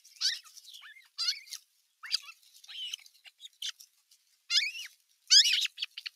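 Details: Older osprey chicks clashing at nest #1, 15 June 2023, an adult following from the rim; spaced bursts of high, wavering squeals and whining upslurs, ending in a louder shrill flurry.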